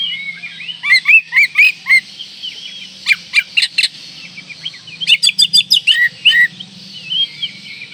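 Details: Oriental magpie-robin in breeding condition, singing to provoke rivals: fast bursts of chirps and whistled upslurs, then a run of sharp repeated clicking notes, with a constant background hiss and low hum.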